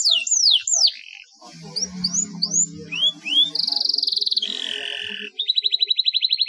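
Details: Canary singing actively with long rolls, played as therapy to coax lazy canaries into song: high whistled downslurs, then rising slurs, buzzy trills and a fast rattling roll at the end over a faint low hum.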